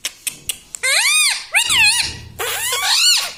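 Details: Indoor pet parrot speaking: a few soft clicks, then three drawn-out arched, voice-like syllables, strongly harmonic and rising then falling in pitch, the last one harsher.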